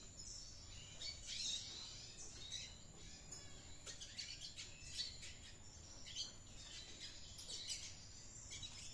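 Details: Red siskin, described as active and chattering, in a finch aviary; high, thin twittering and chirping phrases come in quick bursts throughout, with a steady faint high whine and soft background rumble.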